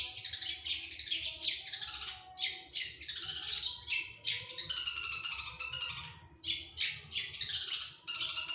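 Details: Long-tailed shrike in lively, phrase-packed song, 1 February 2025: a dense, nearly continuous run of scratchy chattering and squawky notes, varied in pitch and barely pausing, over a faint low hum.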